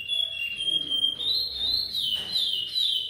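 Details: A captive-bred Chestnut-bellied Seed Finch (curió) singing a repeating song gives a pure, sustained whistle that glides slowly up, then eases back down over about three seconds, with a faint background hiss.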